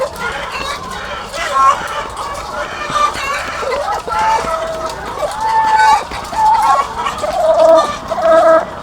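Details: Egg-laying hens on a farm, thousands of them together, making a busy mass of cackles and drawn-out level calls. Several sustained notes stand out near the end above the steady clamour.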